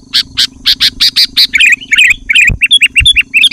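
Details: Sooty-headed bulbul giving loud lure song to provoke rivals. A series of rasping bursts turns into rapid, liquid, bubbly notes near the end, with a faint hum and occasional thumps.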